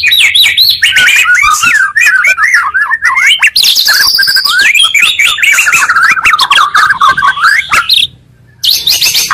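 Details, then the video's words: Murai song used as a lure, two of the best murai voices combined to quickly excite other murai: rich, loud run of varied whistled phrases, sliding and trilling, with brief buzzy bursts, nearly continuous, ending after a short pause. "pancingan murai 2 kali lebih menaikkan emosi muarai"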